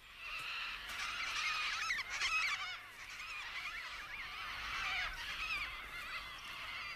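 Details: Wild Major Mitchell's cockatoos in Australia, which have recently taken to eating paddy melons, give harsh, wavering screeches almost without pause, several birds overlapping in a rough, grating chorus.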